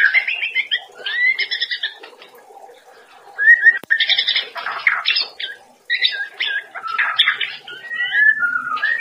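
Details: White-rumped shama (murai batu) master song, a daily training recording to make cage birds sing freely: varied whistled and buzzy phrases, rising and falling, in bursts separated by short pauses, with a brief click near four seconds.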